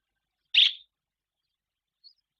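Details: Barn swallow in Guangdong, China, in spring, with several swallows returning to build nests; a single short, sharp chirp is heard, followed by a faint high tick amid silence.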